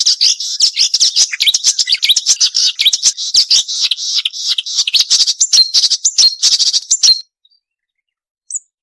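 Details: Marsh warbler song for training songbirds, full variety with sharp chatter: about seven seconds of dense, high, scratchy twittering and rapid buzzy notes, then silence and one last short high chip.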